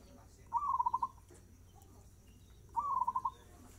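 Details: Quick, gacor-style zebra dove song with two rolling phrases, each an upslurred opening followed by fast rhythmic coo pulses, around two seconds apart, over steady low background noise.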